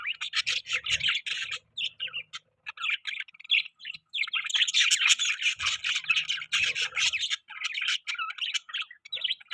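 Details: Parakeet chirping sounds from pet budgies: bouts of rapid chattering warble and squawky notes separated by brief pauses, louder continuous chatter in the second half, faint low thuds now and then.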